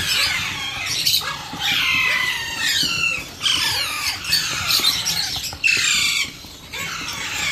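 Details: Alexandrine parakeet chick being hand-fed, giving harsh, raspy, rapidly repeated squawking calls in near-continuous bursts with brief pauses between them. No other clear sounds.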